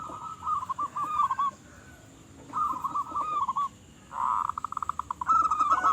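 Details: Local zebra dove singing in full voice: bursts of rapid, rolling cooing notes around mid pitch, each phrase about a second long, separated by short pauses, ending with a quick stuttering series of clipped coos over faint background hiss.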